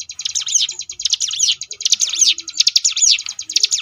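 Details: Ciblek gunung, the Sunda bush warbler, in ngebrem variation style for training competition birds: nearly continuous loud swooping, buzzy phrases layered over a fast high trill, with little pause.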